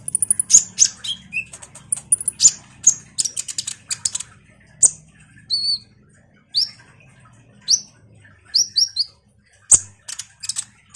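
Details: A common iora singing busily as a lure for ninja sunbirds: rapid high chatter, then spaced clear whistled notes that drop in pitch, some doubled, with a faint low hum behind.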